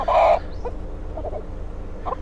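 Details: Couple of chickens in a box bag by a road in Colombia: one loud harsh squawk opens, followed by scattered soft clucks and a final pair of clucks, with low steady rumble beneath.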